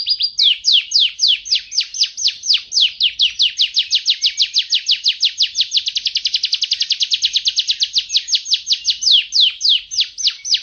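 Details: F1 YS canary with a melodious voice delivering one long unbroken trill of sharp, high, downslurred notes. The notes speed into a dense rattle midway, then slow again toward the end, with no other sounds.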